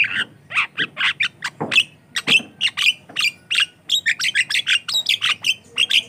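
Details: Lure and training song of a Javan myna in full voice: dense, harsh chattering notes mixed with squeaky whistles, repeated quickly and almost without pause for six seconds.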